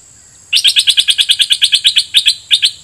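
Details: Red-whiskered bulbul decoy bird singing a doubled song phrase at wild birds. A fast, even run of about seventeen sharp chirped notes, roughly seven per second, over a steady high thin whine.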